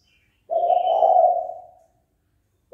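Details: Spotted dove uttering a fight-provoking call: a single drawn-out, low, hollow coo lasting over a second and fading gradually, with a faint higher chirp from another bird near the start.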